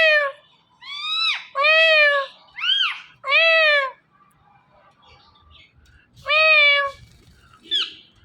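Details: A male and female pet Indian ringneck parrot pair give morning calls: six loud, nasal, arched squawks, each about half a second long, in an irregular series. A faint sharp chirp follows in a quiet room.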